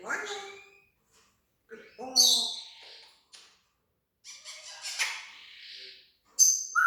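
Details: Pet parrot imitating sound effects and talking, mixing falling harmonic calls, breathy hissing noises, scratchy chatter and a final sharp whistle.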